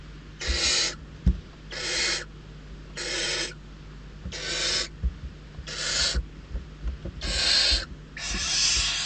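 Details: Hungry barn owl nestlings in Riet Vell Nature Reserve, Ebro Delta, squabbling for prey; seven evenly spaced rasping hisses, each around half a second, with faint knocks and low background hum.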